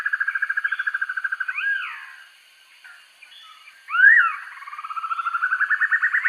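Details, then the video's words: Black-and-yellow broadbill recorded as a master for training birds: a pulsed trill closes with a curving note, a short quiet gap, then a loud upslurred note leading into a new trill that accelerates and rises. "Sempur-Hujan Rimba: Penampilannya Garang, Suaranya Sangar Untuk Masteran"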